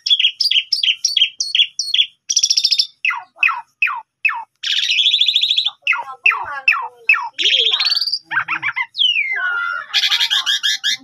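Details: Asian pied starling singing a morning lure to call up a rival: quick repeated chirps, harsh buzzy bursts, descending chattering notes and a long downslurred whistle, varied and loud throughout.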